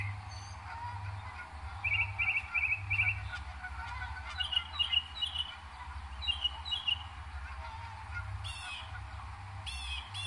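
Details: Northern mockingbird recorded in New Jersey, May 2021, imitating other birds and sounds: one short note group repeated four times, then different whistled phrases repeated in pairs, ending with harsh buzzy bursts, above a low droning hum.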